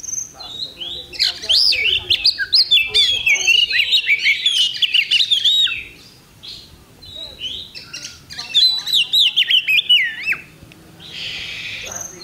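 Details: Oriental magpie-robin at a songbird contest on 8 October 2020 giving two energetic bursts of fast, warbled whistles and crisp chips, separated by a brief lull of quieter notes.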